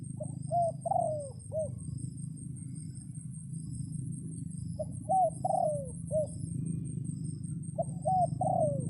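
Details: Red junglefowl decoy crowing repeatedly to lure wild birds during rainy days; three rapid four-note crows, each with a drawn-out falling third note, over a persistent low rumble.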